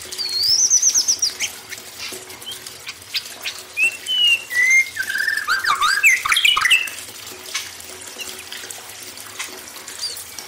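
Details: White-rumped shama song for conditioning a young forest bird, opening with a fast high trill, then varied whistled and slurred phrases building to a dense burst, with water running behind.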